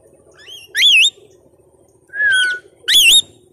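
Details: Pet parrot at home: three loud, wavering whistled notes with bright overtones, the first two close together, a longer falling whistle and a final twisting note, heard between a person's Bengali talk.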